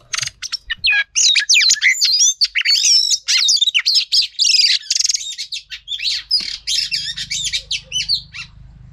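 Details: Female Oriental magpie-robin song used to stir males into singing: a loud, continuous stream of twisting whistles, slurred sweeps and scratchy notes, dense and varied, easing off toward the end over a faint hum.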